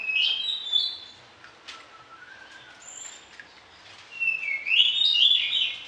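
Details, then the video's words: Vocal orange-headed thrush giving a varied song for tutoring other birds at morning and evening: a whistled phrase, a long quiet gap with a soft low whistle, then a bright, warbling high phrase rising and falling. "ANIS KEMBANG GACOR DOOOR, VARIASI ISIAN"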